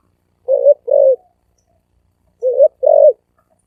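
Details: Spotted dove cooing in the thổ ồm vang style: two pairs of low, hollow coos, each pair a short note then a longer one, separated by a pause of about a second and a half, with a quiet background.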